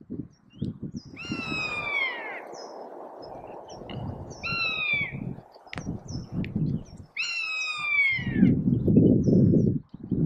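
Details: Rough-legged buzzard alarming at Abisko in July 2023: loud, drawn-out descending squealing mews with strong harmonics, three calls about three seconds apart, over rustling and low rumbling background noise.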